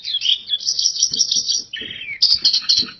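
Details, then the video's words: Gacor pleci, an oriental white-eye, pours out rapid high warbling twitters, breaking midway for a slightly lower, slurred descending phrase before resuming bright chattering notes; soft low thumps in the background. "PLECI GACOR DORR Suara Mantap abis"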